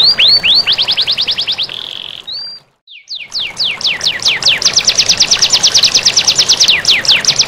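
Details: Canary master song to spur idle canaries into song, over flowing water: rapid trills and falling whistles, a held buzzy note, a silent pause near the middle, then sweeping whistles building into a fast steady trill.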